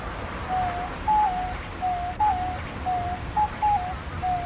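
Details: Diamond dove (Geopelia cuneata), an Australian species, giving soft, low cooing notes, each a short hoo sliding gently down, repeated about every half second over a quiet background.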